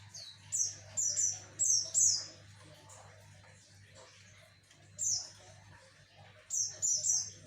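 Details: Song of a Javan white-eye played to lure males: sharp, high, downslurred chirps in quick clusters of three to four, separated by short pauses, over a faint low hum.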